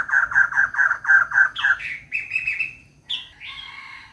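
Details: Seven rapid, harsh, pulsing notes from a female White-crested laughingthrush seeking a mate, followed by drawn-out rising squealing notes and a final higher squawk, with faint low background rumble.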